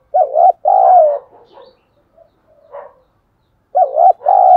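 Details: Decoy spotted dove calling to draw wild doves to fight, in the 'thổ sấm' voice: a deep paired coo and a long sustained note, then quiet grumbling notes, then the phrase starts again near the end.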